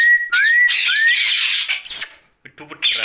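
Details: At night, a talking Rose-ringed parakeet gives two or three clean rising whistles followed by a long harsh chattering squawk, a brief gap, then softer jumbled utterances.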